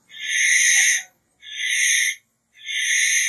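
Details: Barn owl making three harsh, hissing screeches, each close to a second long, separated by short gaps in an otherwise silent setting.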